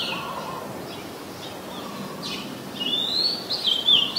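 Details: Oriental magpie-robin song, Ubon Ratchathani, Thailand, recorded 14 October 2021 with a Nikon P1000. Faint background chirps, then a loud, sliding whistled phrase with a few quick, twisting notes.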